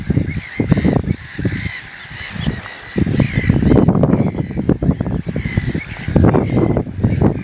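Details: Pied avocets with chicks give clear, fluty "kluit" calls, repeated irregularly several times a second, over heavy low rumbling wind noise.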